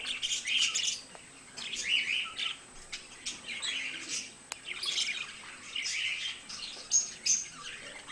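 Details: Two budgerigars kept as pets warble in bursts of scratchy chirping chatter, each burst about a second long, separated by brief quieter gaps and a couple of clicks.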